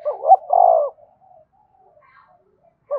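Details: Spotted dove giving a provoking call: one full low phrase of short hoots and a longer rolling coo, then quiet before the next phrase begins.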